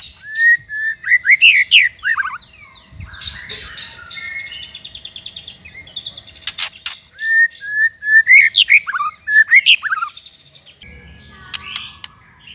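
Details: White-rumped shama singing, recorded as training material for young or silent birds: varied clear whistled phrases with quick slurred notes, broken by clicking bursts and quieter gaps, then another loud burst of rich whistling.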